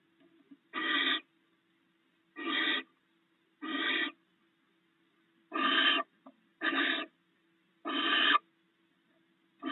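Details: Barn owls at the nest, the male sharing rats with the female. Six harsh, hissing screeches come irregularly, about one to two seconds apart, over a constant low hum.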